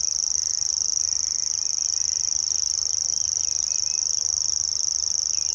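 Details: Grasshopper warbler singing at RSPB Middleton on 17 May 2021: a continuous, high, insect-like reel of very rapid even ticks that holds steady without a break, with faint chirps of other birds underneath.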